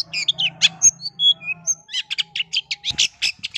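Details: Long-tailed shrike lure song meant to stir other shrikes into song: squeaky whistles and slurred notes, then quick repeated harsh chips, over a faint steady hum.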